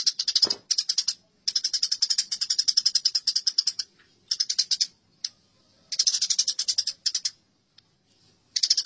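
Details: Fighting Eurasian tree sparrows give long runs of fast, scratchy chirping, some lasting over two seconds, broken by gaps and a few isolated notes.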